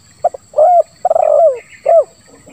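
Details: Spotted dove giving a call with a single 'kuk' and a grating sound: a brief double note, a long rough coo falling in pitch, then a short hooked coo, with faint chirps from another bird.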